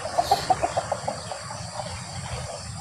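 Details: Male green junglefowl cackling (ngekek), a fast series of about a dozen clipped, evenly spaced notes that fade over roughly two seconds over a constant low hum of insects; recording meant for luring junglefowl or stirring captive birds to answer.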